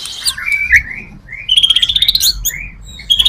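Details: White-rumped shama singing, recorded as a lure to draw other shamas; bright whistled slurs followed by a quick run of repeated sharp notes and more short whistles, loud and clear against near-silence.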